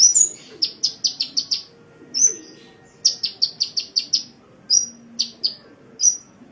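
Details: Sunbird singing on a master recording for cage-bird training, with bursts of six or seven sharp, high chipping notes in fast series separated by short pauses and single whistled notes.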